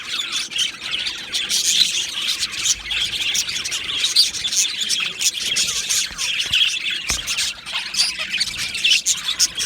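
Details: Continuous high chirping and warbling from two male budgerigars of Australian stock, made of many quick, scratchy notes with a few louder squawks and soft clicks.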